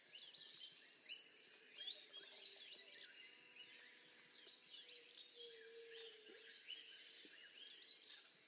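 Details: Rose-throated becard singing: three sharp, high, downward-slurred whistles, two close together early and one later, set against a busy chorus of other birds chirping and twittering.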